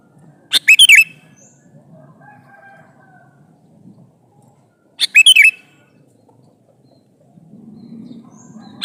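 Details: Calling male sooty-headed bulbul seeking a female: two bubbly whistled phrases of a few rapid notes, roughly four and a half seconds apart, with a faint steady tone between and low rumble rising at the end.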